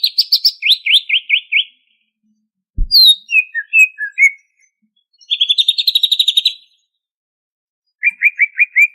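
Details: Banyuwangi greater green leafbird in full ngentrok song: fast falling slurred notes, a sharp click, varied squeaky whistles, a long rapid buzzy trill, then a short quick burst of chirps.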